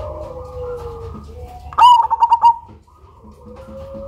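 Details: A Cemani zebra dove, loud-voiced and used to lure other birds, utters a sharp note and a fast run of five pulsed coos, with faint lower cooing before and after.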